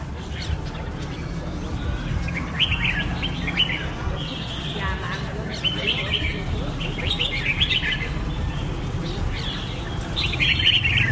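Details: Red-whiskered bulbul chants: short clusters of bright chirps and warbled notes every second or two, growing louder toward the end, with low background rumble and faint voices.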